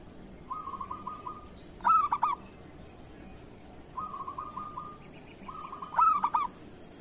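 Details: Local zebra dove of the kerot song style, recorded as a master for training other doves to sing. Two phrases: a low steady purring trill, then a loud burst of clipped, stuttering coos with a short trailing trill, repeated after about four seconds.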